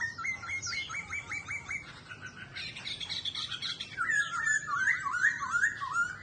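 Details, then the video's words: Pet laughingthrush sings as it dances with tail flicks. A fast run of short, identical upward-flicked whistles opens into a tumbling, varied warble of rich liquid notes. "Khướu Hót Hay Múa Xèo Đuôi Đẹp"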